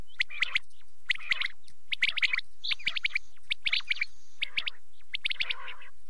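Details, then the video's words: Quail heard at night in repeated bursts of dense, scratchy high chirping, each burst about half a second long, recurring roughly every second. "rat k liye batair ki awaz | quail calling"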